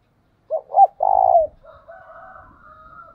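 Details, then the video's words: 'Thúc bổi' style cooing from a decoy spotted dove: two rising hoots and a long, tremulous coo. A thin, steady tonal hum continues after the phrase. "Chim Cu Mồi Thúc Bổi Nghe nó đã mà mở lên bổi và mồi còn gáy theo nữa"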